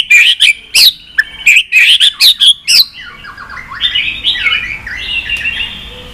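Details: Stimulation song of a white-rumped shama for pet birds. About three seconds of loud, clipped whistled notes repeat in fast bursts. Softer warbling slides then trail off in the background.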